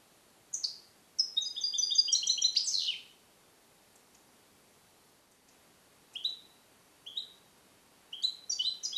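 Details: Song-trained caged European goldfinch, captive-born 2021, Neapolitan passata style: a burst of fast tinkling notes ending in a buzzy downward sweep, a long quiet gap, then scattered short chirps and a renewed twittering flourish.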